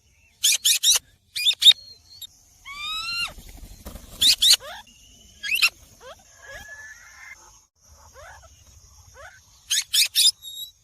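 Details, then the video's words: Green rose-ringed parakeet calling: paired harsh screech bursts recur several times, separated by a series of clear rising whistled sweeps and softer chattering notes, with a faint steady high tone in the background. "green parrot talking"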